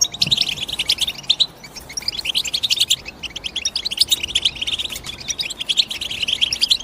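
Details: European goldfinch calls, a busy stream of bright, liquid twitters and quick chirps in fast bursts, with a brief pause near the middle and overlapping voices suggesting more than one bird.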